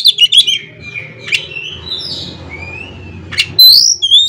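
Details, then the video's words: Kacer (Oriental magpie-robin) singing a 'konslet' filler song to spur other magpie-robins into song: quick chatter, soft drawn-out whistles sliding up and down, then a loud burst and clear high ringing whistles at the end. "CUKUP DENGAN SUARA KACER INI, KACER LAIN JADI GACOR ISIAN KONSLET"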